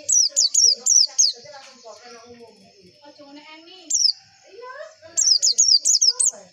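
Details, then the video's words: White-eye (pleci) song used as a lure recording to get other white-eyes singing and raise breeding mood: bursts of high, sharply descending twittered notes in quick runs, separated by a pause with faint lower chatter in the background. "PANCINGAN PLECI AGAR CEPET BUKA PARUH"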